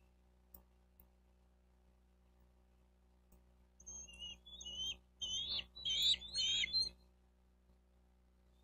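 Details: Bald eagle at a nest in Miami-Dade County, Florida, filmed by nest cam on June 4, 2023 at 12:35; after quiet, a burst of high whistled chirps and squeals, clustered in short runs over about three seconds.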